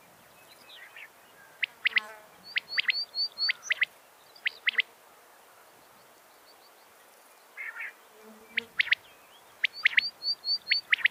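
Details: Quail lure recording used for trapping and hunting, said to draw quail running in: sharp, high clicking notes in quick clustered bursts, two runs of calls separated by a pause of a few seconds.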